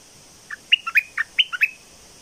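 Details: Red-whiskered bulbul kept as a decoy bird: one brief, quiet phrase of about eight liquid whistled notes that jump up and down, over a steady faint hiss.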